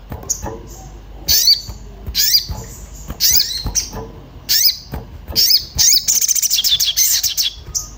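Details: Excited Orange-bellied flowerpecker looking for a mate, played as a lure to make birds sing: a series of harsh, high, bent-tone calls at uneven intervals, ending in a long, rapid, buzzy trill of repeated ticks.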